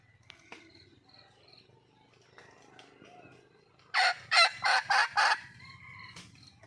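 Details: Wild red junglefowl hen calling for a male: after a few seconds of quiet rustling, a sudden burst of five loud, harsh, broadband notes in quick succession, then quiet again.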